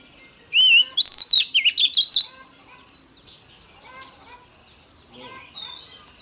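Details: Oriental magpie-robin female, song meant to stimulate males: a loud burst of sliding whistles and quick chirped notes over about two seconds, then faint scattered notes and quiet background.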